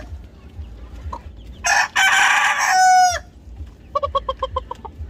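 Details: Crowing rooster in South Korea: a loud harsh crow of about one and a half seconds with a break then a sustained falling tail, followed by a quick series of about eight short clucks.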